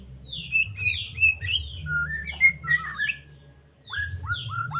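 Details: White-rumped shama of the Medan type, kept as a caged bird, singing to provoke other shamas into song: rich varied whistled phrases, some sliding down, others rising, in quick bursts, with a steady low hum underneath.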